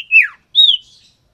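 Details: A male and female common iora in captivity, being paired for breeding, give two clear whistled notes: the first slides down from high to lower, the second is a steady high whistle that fades.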